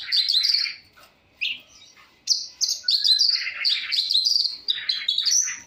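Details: Singing long-tailed shrike showing its full variety. A dense opening volley gives way to a faint pause, then a long, unbroken run of mixed whistles, buzzes and scratchy chirps at shifting pitches.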